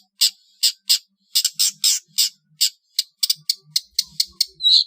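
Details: Long-tailed shrike song for training competition birds, trotol style: loud scratchy rasps spaced irregularly, quickening into clustered harsh ticks and ending in a brief buzzy note.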